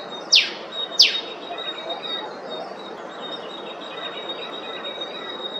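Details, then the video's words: Eastern spinebill, a honeyeater of Queensland, Australia: two sharp high downward-sweeping chips about a second apart, then quiet with a faint steady high tone and soft background hiss. "Very Pretty! Eastern Spinebill Call"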